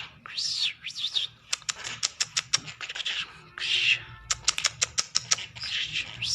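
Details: Hand-tame trained lark singing indoors: harsh, rasping rising-and-falling phrases alternate with bursts of rapid dry clicks, the pattern repeating twice over several seconds.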